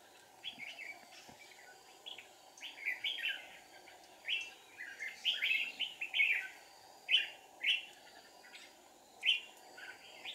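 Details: Red-whiskered bulbul in deep forest, recorded during trapping with a decoy bird on 1 April 2019, a very aggressive wild bird scolding the decoy: bursts of bright, warbled chirping phrases in irregular clusters over a steady background hum.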